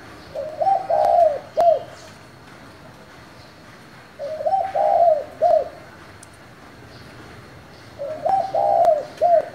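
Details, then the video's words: Spotted dove singing in 'thổ' style to stimulate wild-caught doves. Three similar low cooing phrases repeat roughly every four seconds. Each is a brief lead-in, a sustained quavering coo, and a short end note. "Cu gáy giọng thổ gọi, thúc kích bổi nhanh nổi"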